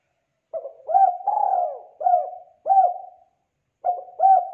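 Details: Spotted dove repeating its coo phrase to prompt young birds to join in: a lead note, a rising coo, a long falling coo, and three clipped coos, then after a pause a fresh phrase begins.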